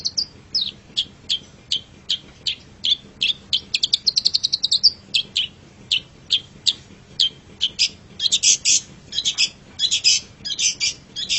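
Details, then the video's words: Long-tailed shrike master song for training pet birds: evenly spaced sharp chips, a quick trill, then harsh buzzy bursts toward the end. "MASTERAN GACOR - Suara Burung Cendet"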